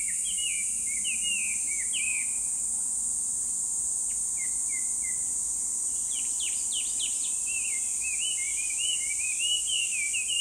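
A Chinese hwamei repeats loud, rising whistled notes in quick, varied phrases over a steady high insect hiss.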